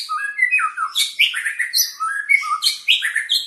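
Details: Long-tailed Medan white-rumped shama being paired for breeding, giving a continuous run of rich, fluty whistles mixed with sharp, high chips and rapid slurred notes, phrases following one another almost without pause.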